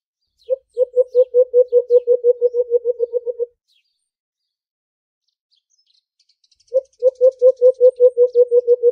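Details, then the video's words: White-eared brown dove, alimokon, in aggressive fighting, giving a rapid run of about twenty low, hollow, evenly spaced coos that speed up and fade, a pause, then another fast series; clean, with no other sounds. "Aggressive fighting,White Eared-brown Dove call | Huni nang Alimokon"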